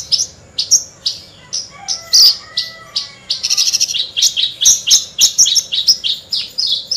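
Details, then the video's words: Brisk 'gacor' song of Horsfield's bush lark, a skilled imitator of other birds: loud high chirps, a buzzy rattling burst near the middle, then evenly spaced sharp notes. "Burung branjangan gacor lagu mewah"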